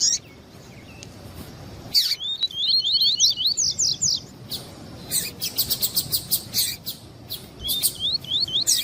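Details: Double-collared seedeater, tuí-tuí song style, male with a female calling, played to warm up a male: quick runs of slurred whistled notes, each rising then falling, between bursts of harsh rapid chips repeated about three per second.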